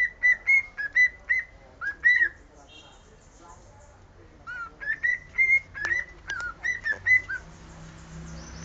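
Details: A cockatiel whistles the Sport club anthem in two bursts of quick, clear, evenly spaced notes with small pitch jumps and slides, separated by a pause of about two seconds; a low steady hum runs underneath.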